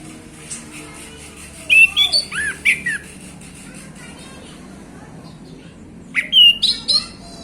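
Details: Afternoon song of a male orange-headed thrush in the loud, open ngeplong manner: two bursts of varied whistles, squeaky slurs and sharp high notes, separated by about three seconds of quiet.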